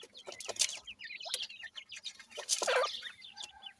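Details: Chicks of grey francolin feeding, giving busy high chirping notes in quick runs, mixed with knocks and rustles.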